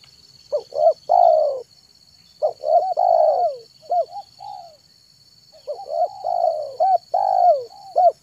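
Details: Afternoon manggung song of a zebra dove, used to attract wild birds: rapid bursts of short, bouncing mid-pitched coos running into longer drawn-out ones, several phrases in a row, with a constant thin high tone throughout.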